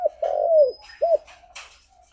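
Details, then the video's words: Spotted dove calling to companions: a long, slightly rough coo falling in pitch, then a short arched coo, followed by brief rustling noise and a low background hum. "Suara Burung Tekukur Memanggil Temannya"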